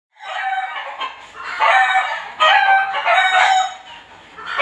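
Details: Neighbour's backyard chickens, heard every day and every hour, even at night: several overlapping, drawn-out, harmonic crowing and squawking calls rise and fall continuously without a break.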